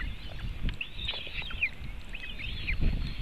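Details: White-tailed eagle nest in Latvia on 24 June 2018, afternoon, as the eaglets are fed fish; webcam recording. Two arched, high whistled phrases stand over heavy low rumbling noise.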